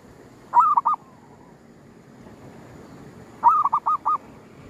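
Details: At a cemetery during a zebra dove hunt using luring, a local zebra dove gives two matching phrases about three seconds apart, each a run of four or five soft, hollow coos, quiet background between.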